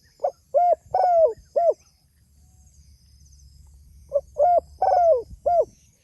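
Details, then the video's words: Spotted dove calling to its companions: two low cooing phrases about three seconds apart, each of four hoarse notes, the third longer and sliding downward; faint high twittering from other birds in the background. "Suara Burung Tekukur Gacor Memanggil Temanya"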